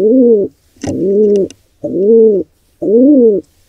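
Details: At a wild pigeon nest filmed by a birdcam, an intruder pair attacks a nestling. Low, smooth, slightly arched calls of about half a second repeat four times with short gaps. Brief rustling is heard between calls.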